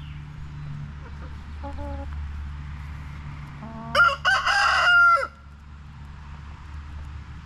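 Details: Backyard chickens, with one loud harsh crow of about a second rising over a steady low hum, preceded by a few faint short clucking notes.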